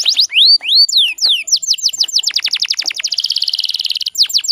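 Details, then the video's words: Female canary lure sound meant to excite males into song; arched whistled notes give way to quick descending sweeps, then a dense rapid roll of repeated notes about twenty per second, ending in a few more sweeps. "PANCINGAN KENARI BAHAN PALING AMPUH BIKIN GACORR"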